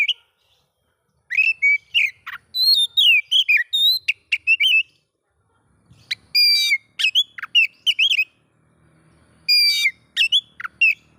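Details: Provocative oriental magpie-robin song aimed at other magpie-robins: rich run of fluty whistles, twisting slurs and buzzy rasps in two long phrases, then a shorter third phrase after a pause.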